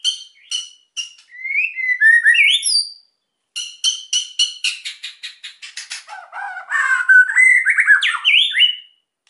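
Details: Emotional white-rumped shama song used to stir silent birds: rapid series of sharp high clicks, sweeping whistled phrases, another click series, then lower rich warbling that rises into high slurs.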